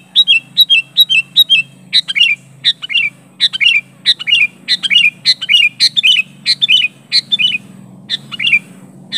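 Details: Challenging call of a sooty-headed bulbul pressing an opponent, unmixed with other birds' phrases; opens with quick paired chirps, then a long steady train of lively whistled phrases with bent, falling ends, about two per second.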